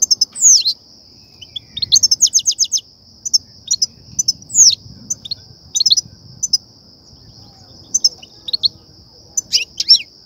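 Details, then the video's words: Lure song of a European goldfinch, the batbata and satsata type said to excite goldfinches for trapping: sliding downward notes, a quick trill series and many scattered sparkling chirps over a steady high whine. "افضل بتبتة وستستة لتهييج و صيد الحسون"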